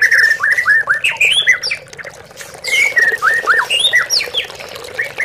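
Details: White-rumped shama song in a lure recording for idle caged birds: fast series of sharp, down-slurred whistles, several per second, a brief quieter stretch, then more rapid phrases, with running water behind.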